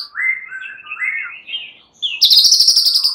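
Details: Caged fighter-class white-rumped shama males answering one another and agitated; sliding whistled phrases lead into a sudden high, rapid rattling trill.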